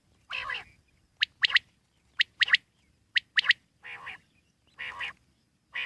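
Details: Common quail in the wild: a hoarse, drawn-out note, then clipped high triple-note phrases about a second apart, followed by more rough, buzzy notes.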